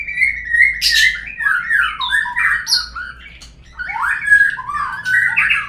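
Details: Lure recording of white-rumped shama singing to encourage birds to sing: loud, varied whistles sliding up and down, mixed with harsh squawky notes and quick chattering phrases.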